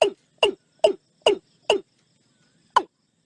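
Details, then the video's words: A Watercock gives five short, hollow, clucking notes at an even pace, about two per second, then one more after a pause, recorded live in natural surroundings against a quiet background. "เสียงนกอีลุ้ม Watercock sounds"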